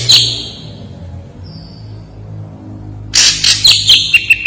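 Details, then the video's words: Ashy drongo singing: a harsh note, a thin faint whistle, a pause with low background hum, then a loud burst of raspy notes ending in quick high ticks. "SUARA SRIGUNTING ABU SANGAT TAJAM+JERNIH.. the sound of the gray srigunting bird is very gacor...!!!"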